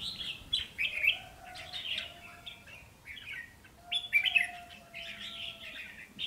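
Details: Pair of caged decoy red-whiskered bulbuls singing back and forth, lively slurred warbles repeated about every second, over a thin, steady lower whistle in the background.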